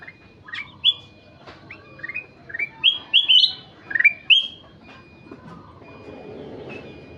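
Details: Golden-fronted leafbird in lively song: sharp rising whistles and chirps in a tumbling phrase, fading out with soft background noise.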